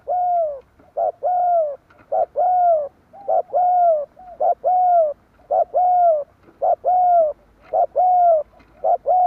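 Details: A lure recording of spotted dove calls meant to bring wild doves in quickly. Loud, mellow coos arrive in a steady, regular series, each a short note followed by a longer arched one, about one per second.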